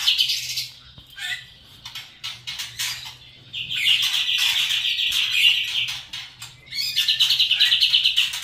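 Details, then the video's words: White-rumped shama in kretekan and trotol style: short chirps at first, then a sustained high, buzzy trill of rapidly repeated notes, a pause, and another fast rattling run. "kretekan Murai Batu seri F trotol bikin Ribut suasana"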